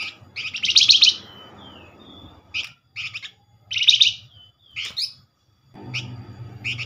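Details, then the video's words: Flamboyan chattering to provoke replies from other Flamboyan: harsh, buzzy bursts of about a second, each with a short trailing whistle, alternating with clipped chip notes and brief silences. "Flamboyan call nyerecet pancingan cepat paling direspon"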